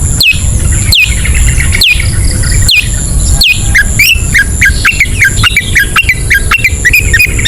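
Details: Long-tailed shrike in ngetet singing style, used as a lure for sluggish birds: a series of sharp descending whistles with loud clicks about once a second, then quick chattering, upslurred notes over steady low rumbling.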